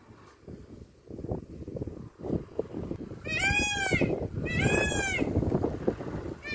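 An Indian peafowl gives two loud, nasal, wailing calls about a second apart, over a steady low rumble of wind and rustling.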